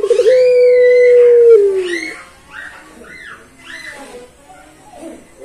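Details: Pelung-type Barbary dove holding one long, level coo that sags at its end, followed by quieter higher chirping notes.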